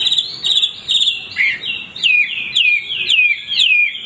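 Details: Continuous hwamei song from a male bird: looping whistled phrases with descending slurred notes repeated about twice a second, and faint background noise.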